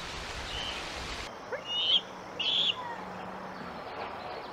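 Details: A young bald eagle, about 11 weeks old, on the Decorah nest on 24 June 2023, its first day off the nest onto a branch, gives two thin, high whistled chirps about half a second apart over outdoor background noise and a low hum.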